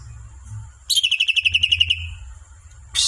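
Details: Songbird giving one rapid, even trill of about a dozen high, sharp repeated notes lasting roughly a second, then a brief hiss-like burst, over a faint low hum.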